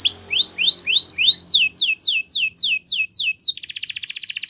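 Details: Waterslager canary song used for training: a series of repeated arched whistled notes that climb higher and quicken, ending in a rapid bright rattling trill, clear with little background.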